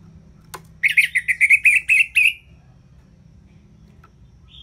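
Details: An orange-headed thrush delivers a rapid run of about eight loud, buzzy, rattling notes in its ngeplong style, meant as a tutor for birds that sing little. A sharp click comes before, and a faint whistle follows.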